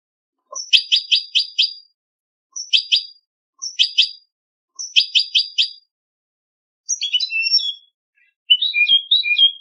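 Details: European goldfinch singing for a song competition; bursts of bright tinkling trills, several quick repeated chirp groups separated by short gaps, then twittering phrases with lower buzzy notes, clean background.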